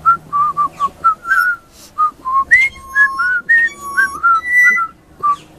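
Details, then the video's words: Baby pied butcherbird sings a high-pitched Christmas melody: about a note per second of mellow, piping whistles, with some notes held, some rising sharply, and a few doubled in quick succession. "Baby Pied Butcherbird singing very high pitch"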